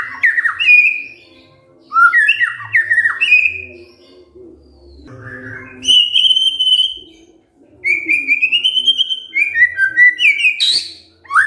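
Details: White-rumped shama singing in the kretekan fighter style, meant to make silent shamas answer: loud whistled phrases with sharp downward and upward slurs, short pauses between bursts, and a rapid rattling run near the end.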